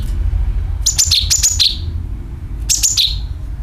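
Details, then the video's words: Lure recording of a sooty-headed bulbul: two quick clusters of sharp, high, whistled chirps dropping in pitch, a pause, then one more cluster. Steady low hum underneath. "CUCAK KINOI ||PANCINGAN PALING AMPUH TERBUKTI PASTI IKU BUNYI SUARA PANGILAN + NYERET"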